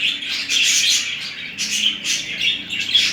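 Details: A pair of budgerigars mating and courting: a steady, loud, scratchy warble of rapid high chirps, clicks and squeaky notes, running almost without pause with brief dips in volume.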